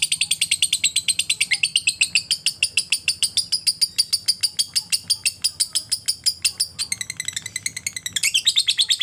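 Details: Lovebird in ngekek, a long chattering trill used to stimulate other lovebirds to sing: fast, even, high buzzy pulses, about three per second in the envelope, sustained throughout with a slight shift in tone near the end.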